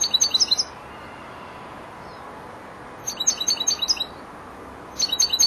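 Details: Young European goldfinch, four months old, starting to round off its song phrases, giving short bursts of quick, tinkling high twitters roughly every two to three seconds, separated by quiet gaps with faint background hiss.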